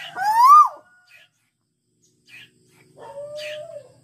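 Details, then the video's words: An owl, used as a lure for other owls, gives two drawn-out tonal calls: a loud whine that rises then drops, and after a pause a lower, steadier note. "BURUNG TUWU GACOR"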